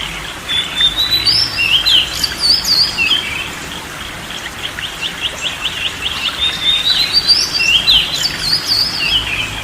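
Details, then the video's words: Oriental magpie-robin song for calming a stressed or song-shy bird: two long bouts of fast varied whistles and trills, including a rapid chattering series in the middle, with constant faint hiss. "TERAPI BURUNG KACER SETRES DAN MALES BUNYI"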